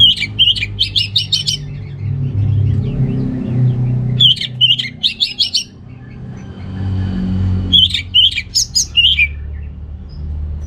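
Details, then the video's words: Orange-headed thrush (Geokichla citrina), song used to stimulate males lacking breeding drive; three bursts of rapid high chirping notes, several seconds apart, with passing vehicle rumble between them. "ANIS MERAH Gacor Untuk Pancingan AM Jantan yang Kurang Birahi, Semua Burung Pasti Ikutan Bunyi"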